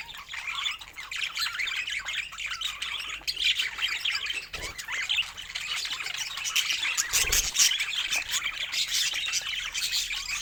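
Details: Pet budgies chatter constantly in layered high twitters, squeaks and buzzy warbles, with a brief low bump near the seventh second.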